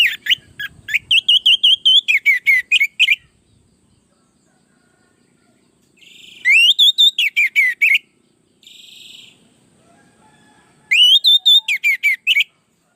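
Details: Orange-headed thrush (anis merah), a lure recording used to train other birds: bursts of loud, rich whistled phrases with sweeping notes repeated rapidly, three separate song bouts separated by quiet gaps, faint low rumble beneath.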